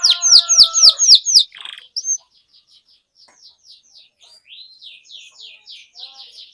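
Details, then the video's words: A canary singing to encourage other canaries opens with a loud burst of rapid down-slurred whistles and a brief buzz, then continues much more quietly with soft repeated arched notes. "Kenari Gacor Menuntun Kenari Macet Jadi Bunyi Kembali"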